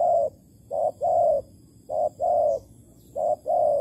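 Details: Spotted dove, Malaysia, recorded while trapping with a decoy on 11 August 2020: three loud paired coos, a clipped note then a sustained hollow hoot, roughly one pair per second.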